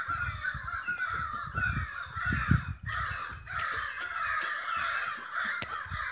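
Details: Very loud cawing from a crowd of agitated crows, cause unknown. Overlapping harsh calls surge and ebb, with low rumbling wind or handling noise and a brief drop near the middle.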